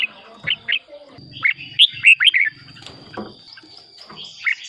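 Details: Red-whiskered bulbul song for exciting caged birds: two opening chips, then a fast, looping, sweetly warbled phrase, and a last faint note, all over a steady thin high whine and low rattling.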